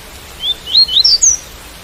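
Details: White-collared seedeater song, a brief ascending run of four or five sweet slurred whistles lasting under a second, with rain sound as a quiet hiss behind.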